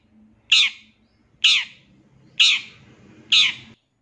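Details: Long-tailed shrike from a master recording for training caged birds: four harsh, rasping notes, each about a second apart and evenly spaced, over a faint low hum.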